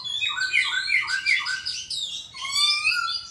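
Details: Bird song made of rich whistled slurs falling in pitch, repeated about every third of a second, then a rising whistled phrase with higher overtones. The singing is loud and continuous over a faint low hum.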